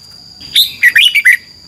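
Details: A red-whiskered bulbul kept in a cage in Thailand sings one compact phrase of four or five fluid whistled notes, bubbling and slightly descending, against a faint continuous high hum.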